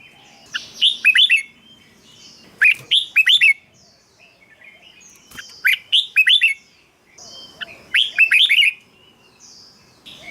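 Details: Song of a red-whiskered bulbul for decoy use or stirring up caged birds: four lively phrases of rapid slurred whistles spaced a couple of seconds apart, with brief pauses between.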